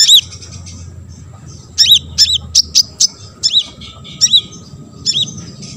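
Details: Olive-backed sunbird singing to provoke other sunbirds into responding. It gives very high, sharp, clipped notes, each a quick up-and-down slur, in short bursts with irregular gaps. A low hum sits in the background.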